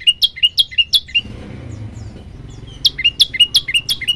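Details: Male olive-backed tailorbird giving paired notes, each a sharp rising chip followed by a lower note, in a quick series broken by a pause of over a second with soft low background rumble.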